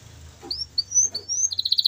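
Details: Canary song used to prompt silent canaries: a few thin high whistled slurs followed by a quick pulsed trill, over a low steady hum.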